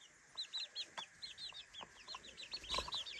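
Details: Baby chickens, three weeks old, peep in quick succession in their daytime playpen: short, high, arched notes repeating several times a second, with faint scratching underneath.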